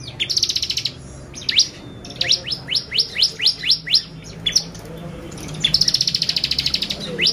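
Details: Lure song of a bar-winged prinia to excite birds: opening high trill, then about eight sharp rising notes in a steady row, ending with another long buzzy trill.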